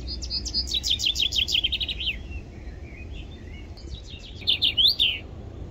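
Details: Common chaffinch singing in spring on the bank of the Adige river, Vallagarina, Trentino: two bright descending trilled phrases ending in a flourish, about four seconds apart, with a low steady rush of background noise.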